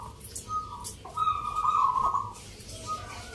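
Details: A local zebra dove competes in a Mentaraman-rhythm song contest held 19 November in Yogyakarta. A brief coo leads into a loud, rapidly trilled phrase lasting about a second, with softer doves nearby.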